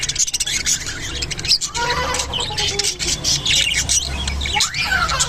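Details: Japanese budgerigar mating, chattering warble of rapid clicks, squawky bursts and short whistled slurs, fairly loud and unbroken.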